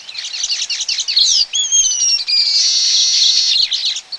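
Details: Baya weavers at a colony, recorded close up, give a loud, tumbling mix of sharp, high chirps. Clear thin whistled notes cut in midway, followed by a long, sizzling buzz of overlapping chatter.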